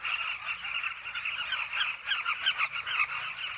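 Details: Carmine bee-eaters calling together at a cliff colony where they nest: a busy, continuous babble of rolling, burry notes from many birds, a few louder calls briefly rising above the rest.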